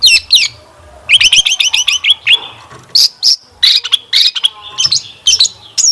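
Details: Long-tailed shrike lure song meant to prompt other shrikes to reply and sing: quick bursts of rapid, high chattering notes, a run of repeated chips, then scattered sharp whistles and buzzy phrases separated by short pauses.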